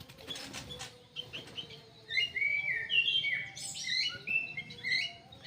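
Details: Aviary-kept kidangan kaso kaso bird, bred for conservation and release, delivering a rich, fast warbled song of sliding whistles and high chirps after a few soft opening notes, over a faint low hum.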